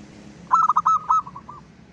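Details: A zebra dove of local stock sings as a lure for other zebra doves: a rapid run of bubbling coo notes ending in a longer coo, followed by softer fading echoes over background noise.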